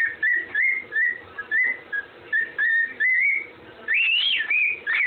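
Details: Parrot whistling a tune, the Andy Griffin theme: even, clipped whistle notes in a loose rhythm, ending in a louder upward-sweeping phrase that dips back down.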